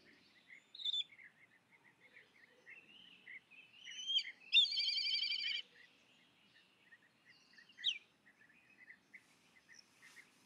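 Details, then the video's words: Black kite begging call: a loud, quivering trill of about a second stands out amid many small chirps and squeaks from other birds. "Black Kite Begging Call"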